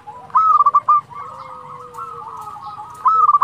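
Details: A local zebra dove delivers a fast burst of clipped cooing notes, then a softer stretch of distant dove cooing before the next loud phrase begins at the end.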